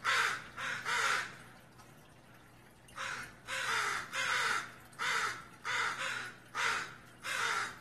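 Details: Northwestern crow calling in alarm at a raccoon below: a run of about nine rough, grating caws delivered in uneven pairs, pausing for over a second near the start, with a faint low hum underneath.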